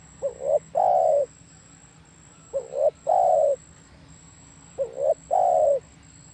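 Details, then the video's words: Spotted dove cooing three times, roughly every two and a half seconds: each phrase two short soft hoots followed by a longer, drawn-out falling coo, over a low steady background hum. "SUARA MERDU DERKUKU/TEKUKUR"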